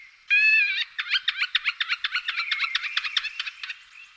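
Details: Middle spotted woodpecker calling: one drawn-out nasal note with stacked harmonics, then a fast run of short, sharp chattering notes that slowly weaken and trail away.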